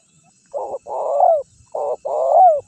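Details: Spotted dove calling to tempt wild birds and rivals closer: two cooing phrases, each a short hollow coo then a longer vibrating coo that swells and slides downward at the end.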